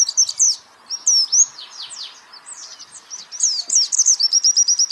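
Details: White-eye (pleci) songbird training recording: bright high chirps and swooping slurred whistles, a brief lull, then a buzzing burst that becomes a quick repeated trill.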